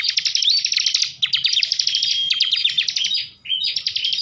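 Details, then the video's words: Kept bar-winged prinia from Tegal, Central Java, in full agitated ngebren song: an almost continuous dense stream of fast, scratchy rattled notes with brief whistles, pausing once before resuming. "kicauan ciblek ngebren emosi"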